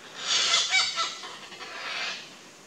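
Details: Narcondam hornbills during courtship feeding on Caryota mitis palm fruits give harsh, raspy, goose-like honks in a quick burst, then a softer second bout about a second later, with faint thin chirps in the background.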